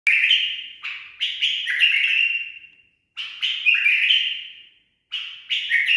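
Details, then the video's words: A tame bulbul sings three loud, bubbling, warbled phrases, each a couple of seconds long with short pauses between them; no other sounds are heard. "بلبل أليف تخريج صحيح"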